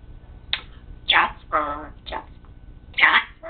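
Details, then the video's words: Pet parrot speaking clearly indoors: a run of raspy, word-like syllables with harmonic voiced parts and sharp breathy onsets, five or six separate utterances in a few seconds. "parrot jasper very clear speech"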